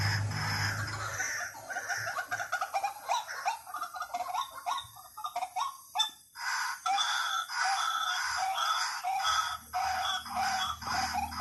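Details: White-breasted waterhen calling, played as a lure: a string of hoarse, repeated calls in an irregular rhythm, with brief pauses between bursts and a low hum at the start.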